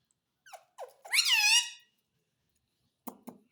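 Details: Talking parrot known for saying mummy and papa: two short soft notes lead into one long, wavering, harsh spoken-sounding phrase, then a few dull taps.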